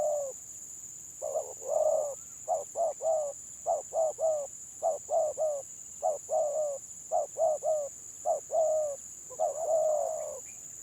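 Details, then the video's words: Spotted dove of the 'gagap' (stuttering) village type, set against a rival: after a short opening coo, a pause, then a rapid chain of short stammered coos and longer held notes, evenly paced, with continuous high electrical tone. "BURUNG TEKUKUR GAGAP VS GAGAP"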